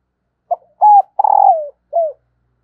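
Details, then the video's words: Spotted dove hen gives a phrase meant to get reluctant males cooing. A soft short note and a clear level coo lead into a long rough coo that slides down. A brief falling note closes it. "Bổi lười gáy và lâu nổi vì anh em chưa mở vdeo này/ tieng cu mai kich trong"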